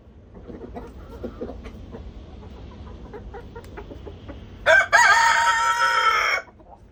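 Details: Chickens on a homestead enjoying a warm spell after a twenty-degree rise: soft clucks and low murmuring from the flock, then a loud, drawn-out rooster crow lasting nearly two seconds, harsh and rich in overtones.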